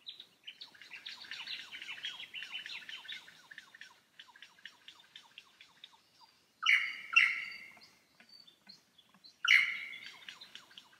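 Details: Wild lyrebird in the Cathedral Ranges on a Sunday morning, below the Farmyard campsite: dense run of quick high chirps and twitters, broken by three loud, sharp, buzzy bursts near the end, with other birds faintly behind.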